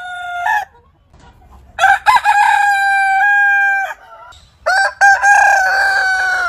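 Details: Roosters from heritage chicken breeds crow twice. First comes a short tail, then a crow with a sharp stuttered onset and a steady two-second sustained note. After a pause a second crow rises, wavers and holds on.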